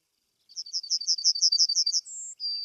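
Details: Male Yellowhammer in breeding plumage, singing from a prominent perch: a quick run of about ten thin, high chips, then a long drawn-out higher note and a slightly lower one, the classic 'little bit of bread and no cheese' phrase.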